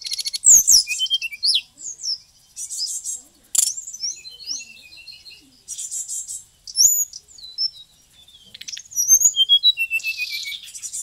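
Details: Bali white-rumped shama of Bali origin, singing a full, varied song in rapid bursts: high twittering phrases, sharp whistled slurs and rattling trills crowding one another with short pauses, about four bursts a second, clean background.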